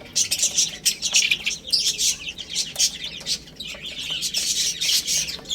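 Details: Chicks busy eating and playing, giving a steady chorus of sharp, high cheeps in quick succession, punctuated by crisp pecking taps.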